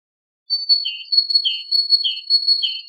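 Great tit song: a high note dropping to a lower, buzzier one, repeated about every half second over a steady high ringing tone.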